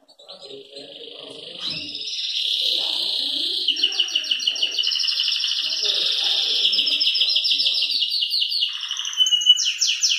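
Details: Early-morning song of a Belgian canary, salsa type: a long sustained rolling trill that swells in loudness, shifts into faster rattling pulses and ends with a sharp high buzz; faint low background murmurs underneath.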